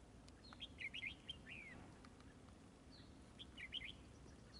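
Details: Red-whiskered bulbul at a trap with a decoy, singing quick warbled whistles with a falling slurred note, two clear bursts about two and a half seconds apart, low hum beneath.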